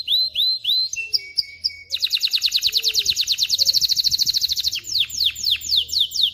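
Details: Male canary singing to coach chicks and prepare females for mating; paired rising whistles and a flat tone, then a dense fast trill, followed by repeated descending slurs.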